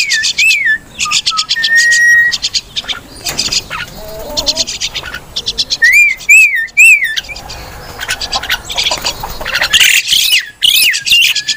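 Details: Crested myna, or Martinez bird, with a varied run of harsh chattering bursts mixed with clear wavering whistles that rise and fall. Several squawky notes overlap in a busy, irregular sequence.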